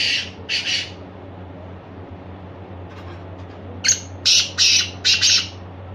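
Black francolin giving harsh, grating squawks: two at the start, then a quick burst of five rasping notes, over a low steady hum.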